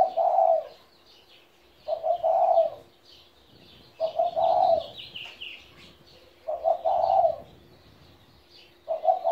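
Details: Spotted dove, seventeen years old, kept as a pet, giving repeated soft rolling coos about every two and a half seconds, five phrases in all, while other small birds twitter faintly higher up.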